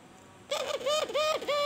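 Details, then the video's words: White albino turtle dove (puter) cooing in the lively kuwor bekur style: after a half-second of quiet, four smooth, mellow coos with bright overtones follow one another, each a soft rising-then-falling note. "Suara Burung Puter Albino Putih Kuwor Bekur Gacor"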